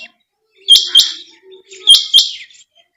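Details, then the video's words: A female quail (tagged as female quail sound) gives sharp, high, rasping double notes, each pair about once a second, over a faint low hum. "chinga batair ki awaz /Quail sound"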